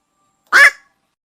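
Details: Black-crowned night heron, played as a lure for trapping birds at night before Tết: one short, harsh, croaking quok of about a quarter second, then silence.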